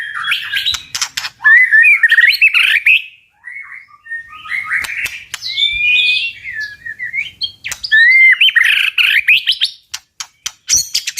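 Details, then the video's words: White-rumped shama singing a very strong tạch-style song to provoke birds to fight, a long run of varied whistled phrases, some gliding upward, broken by brief pauses and ending in sharp, clicky notes. "Chòe lửa tạch cực mạnh để kích chim đấu"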